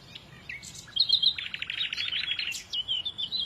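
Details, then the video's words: A lively warbling song of quick high notes, opening with a short whistled phrase and running into a rapid chattering series, ending in thin sliding whistles. "إذا كنت تعشق سماع تغريد العصافير فلا تشتري قفزا فديو لعشاق تغريد العصافير"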